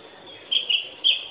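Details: Oriental magpie-robin giving three short, clear whistled notes over about a second, the middle one slightly lower, against a quiet background.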